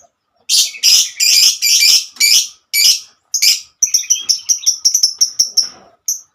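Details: Female lovebird singing long ngekek phrases to call its companions: several broad harsh screeches about half a second apart, then a quick series of thin high chirps ending in one lone note.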